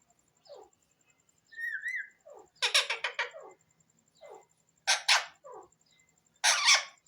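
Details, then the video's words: Pet talking Alexandrine parakeet (pahari tota) kept indoors: soft scattered notes and a wavering whistle, then three loud harsh, raspy squawk bursts spaced about two seconds apart. "bolnay wala tota,pahari toat bird,sweet parrot bird"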